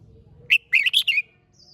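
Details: One loud phrase of a red-whiskered bulbul singing hót đấu style, an emphatic first note and a quick bubbling sequence of whistles, with a faint high thin note afterward.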